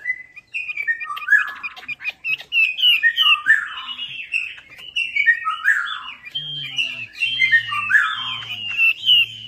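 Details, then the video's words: Chinese hwamei lure song, a busy stream of swooping whistles and chattering notes that grows fuller midway, with faint clicks early on and a low intermittent hum later. "PANCINGAN WAMBI MACET"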